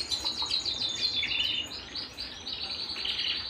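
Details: Canary singing at home with a fast series of sharp repeated high notes, a descending whistled slide, and a bright buzzy trill carrying on to the finish.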